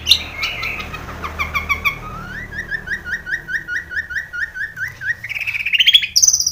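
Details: Long-tailed shrike lure recording packed with imitated calls: a series of sharp rising whistled notes repeated about twice a second over background hiss, ending in a climbing trill and high whistle.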